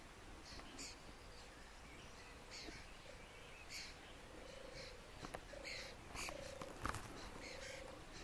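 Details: European turtle dove, a seriously endangered species, wild in Lower Silesia, Poland, where 14 birds and 5 nests share 4 square km; low purring notes repeat in a loose series midway, with higher bird chirps scattered through.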